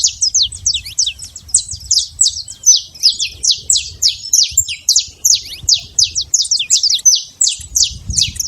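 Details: Saffron finch living free in the wild, heard in a busy chatter of crisp, high, falling chip notes delivered rapidly and irregularly, about three per second, over low background noise.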